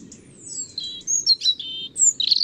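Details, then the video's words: European robin song opening with a thin, descending high whistle, followed by sweet warbled notes and tumbling trills that climb to piercing high tones. "Заря́нка лат. Erithacus rubecula"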